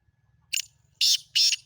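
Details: Sindhi black francolin (kala teetar) calling: a short harsh note followed by two longer, loud grating notes, each rasping and high-pitched, over a quiet low rumble in the background.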